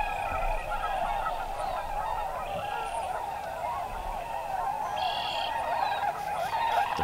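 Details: Tundra swans at a central Wisconsin stopover, resting and feeding on their way to Arctic tundra nesting grounds: a thick, continuous murmur of countless overlapping calls, with a few clearer higher notes standing out.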